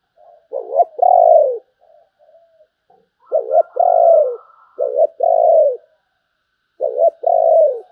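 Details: Spotted dove singing in the prized 'sấm bầu' style: four low two-part cooing phrases, each a short wavering note followed by a longer, slightly falling drawn-out coo, with faint soft notes in the pauses.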